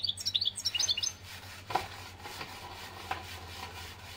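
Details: European goldfinch from Algeria giving a short burst of high, rapid twittering, followed by soft knocking and rubbing noises against a low background hum.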